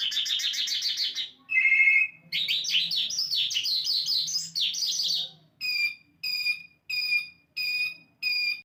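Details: Asian lark singing a long varied song: rapid buzzy trills, a lower sustained whistle, a jumbled warble, then six evenly spaced sharp chirps about half a second apart.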